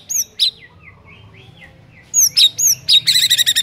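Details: White-rumped shama song as a lure for silent shamas: high piercing whistles separated by soft lower notes, finishing in a rapid buzzy trill.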